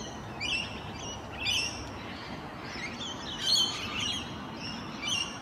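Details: Rainbow lorikeets in their natural habitat on a morning, courting and socialising, give shrill, rasping screeches about once a second, several chattering over one another against steady low hiss.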